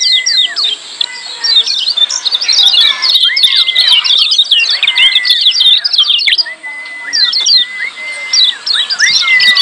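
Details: Lemon-bellied white-eyes calling in a busy 'ciak' style meant to stir silent birds into song: thick high-pitched twitter with many smooth arched whistles at a steady lower pitch.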